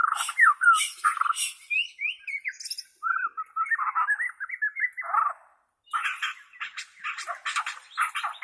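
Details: White-rumped shama of Borneo, recorded for training captive birds to sing: loud varied song of warbled whistles, sharp rattling bursts and scratchy notes, briefly pausing before a harsh chattering run.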